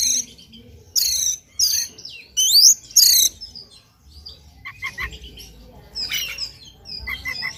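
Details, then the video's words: Oriental magpie-robin singing in the morning, played to provoke singing in another bird: loud, steeply sweeping high whistles in four bursts, followed by softer repeated chirps in quick pairs. "PANCINGAN KACER PAGI HARI AGAR NGOTOT NGEPLAY BONGKAR ISIAN"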